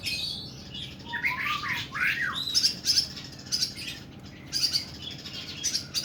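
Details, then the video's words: Kuku bima oriental magpie-robin singing harsh, extended phrases that open with downward-slurred whistles and warbles, then move into repeated grating, buzzy high notes. "KACER KUKU BIMA NEMBAK PANJANG & KASAR"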